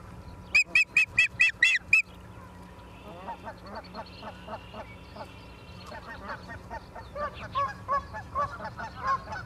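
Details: At a Charlo, Montana nest on 28 September 2023, 17:45, an osprey gives six loud, piercing, high whistled chirps in quick succession. Softer, lower honking calls from other birds continue afterwards.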